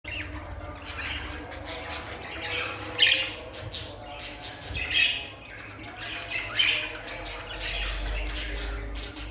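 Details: A small yellow pet budgerigar, female, gives bright, scratchy chirps and squawks in uneven bursts.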